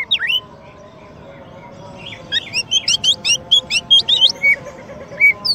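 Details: Champion oriental magpie-robin used as a master bird to train and spur white-rumped shamas: a few scattered whistles, then a quickening run of sharp, looping, slurred high notes with short steady whistles near the end.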